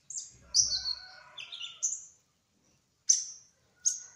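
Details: Kolibri ninja sunbird of the trotol type, singing actively in a rolling style: a few high, thin, sharp chirps and short trills, then a pause and two isolated piercing notes, with faint low murmurs early on.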